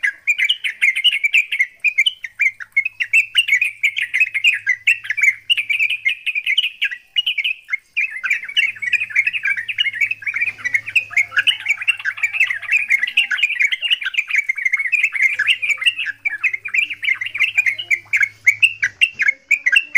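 Yellow-vented bulbuls pour out a fast, noisy chatter of bright chirps, a fighting song that stirs others to sing.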